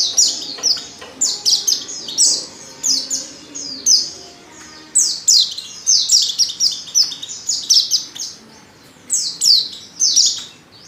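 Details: Calling for a male, a breeding-condition female white-eye gives dense runs of very high, quick chirps and falling twitters, near-continuous bursts with brief pauses, nothing else prominent.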